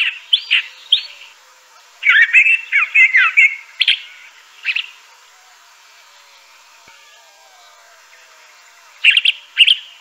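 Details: Scattered Crissal thrasher song: a few sharp notes, then a cluster of slurred, whistled phrases, isolated single calls, and a long silence broken by a final pair of notes.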